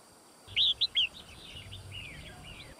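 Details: Red-whiskered bulbul, white-cheeked form, training song for fighting: three loud, quick, rising-falling whistled notes, then a soft, trailing series of slurred chirps over faint background hum.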